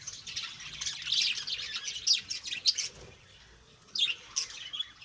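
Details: Lovebirds kept and bred indoors at home chatter in rapid, shrill, high-pitched chirps and squeaky twitters, loudest around one to two seconds, then pause briefly before another sharp burst.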